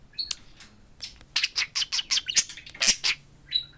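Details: A pair of pet budgerigars, talking parakeets, address a mirror with a run of evenly spaced raspy chirps and clicks, ending on a short whistled note.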